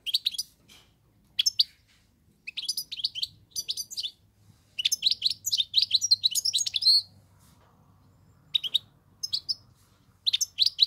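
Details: A Moroccan European goldfinch sings a rare song in quick bursts of bright, tinkling twitters and liquid trills, pausing briefly between phrases, over a faint low hum.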